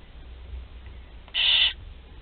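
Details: One of four barn owl chicks at the nest during feeding, Théding, July 16 2020, gives a single strong hissing screech, preceded by faint low rumble.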